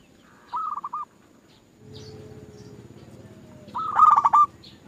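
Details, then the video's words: Zebra dove song from a lure recording for starting other doves singing. A soft stuttered phrase is followed by a stretch of low humming noise with a faint sliding tone. A loud, harsh pulsed burst closes the passage. "Pancingan Burung Perkutut Bikin Perkututmu gak mau diem"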